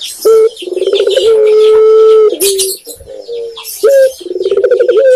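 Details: Tekukur, Indonesia's spotted dove, gives a clear rising coo, a vibrating run of pulsed notes and a long smooth hoot, then quieter notes before the phrase starts again.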